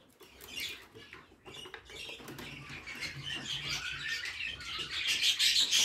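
Young budgerigars give a busy stream of high, scratchy chirps and twitters that build in intensity.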